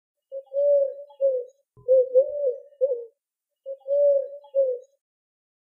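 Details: Eurasian collared dove (Streptopelia decaocto) gives soft, low three-note coos, the middle note longest, repeated three times in under six seconds; nothing else heard.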